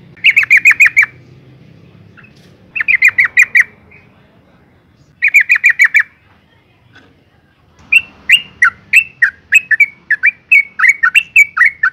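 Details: Breeding-condition female Yellow-vented Bulbul calling males: three loud, fast chattering rattles about two seconds apart, then a longer run of separate bright, slightly downslurred notes repeated quickly.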